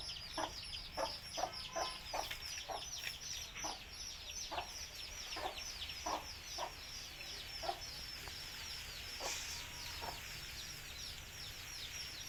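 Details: Many native country chicken chicks chirp continuously in thin, downward-sliding peeps while their mother clucks intermittently to call them to eat; the clucks thin out toward the end.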